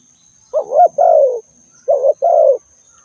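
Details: Spotted dove call: two low, hollow coo phrases, each a short wavering rise joined to a longer falling note. The second phrase follows about a second and a half after the first, over a faint constant high whine.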